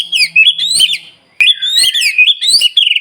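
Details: White-rumped shama in full, continuous song, day and night, used to provoke other shamas into singing: loud, rich whistled phrases sliding up and down, broken by sharp clicking notes, with a brief pause mid-phrase.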